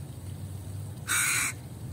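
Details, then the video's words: One rasping crow caw, broad and grating, lasting under half a second after a stretch of low humming background noise. "crow sounds loud"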